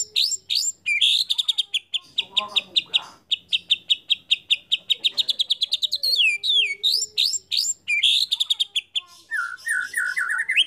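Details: Competition-grade white-rumped shama song full of fill-in phrases liked by judges: bursts of rapid staccato notes alternate with slurred whistled sweeps, ending with lower warbled notes.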